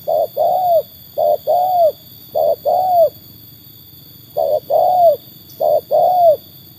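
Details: Trained spotted dove (tekukur) tested against wild birds: low hooting coos in paired notes, a short note followed by a longer down-curving one, four pairs with gaps over seven seconds, above a steady low hum.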